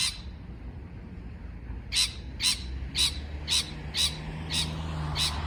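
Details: Parrot chirping: after a quiet start, a series of short, bright chirps repeats about twice a second, each with a ringing high tone, over a low steady background hum.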